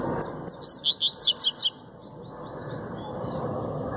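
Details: Double-collared seedeater (coleiro) singing a fast, short phrase of about ten sweet, high chirped notes in under two seconds, followed by faint softer twitters against low background hum.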